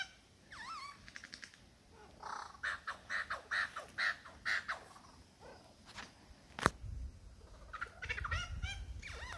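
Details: A male superb lyrebird in the Dandenongs, displaying to a female, runs through a varied mimicry medley: ringing whistled notes, about seven loud rhythmic bursts, a sharp crack, and more bright warbling whistles.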